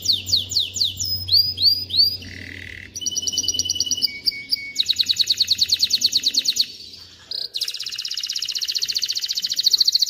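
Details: Ready male canary song intended to teach young birds and bring females into mating condition, a varied sequence of looping whistles, a low flat note, rapid pulsed trills and a long high buzzy roll.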